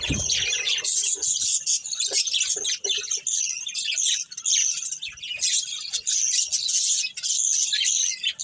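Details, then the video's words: Budgerigars from a breeding pair chirp almost without pause, a steady stream of high, buzzy warbling and squeaky notes. "Beautiful Budgies Chirping Sounds"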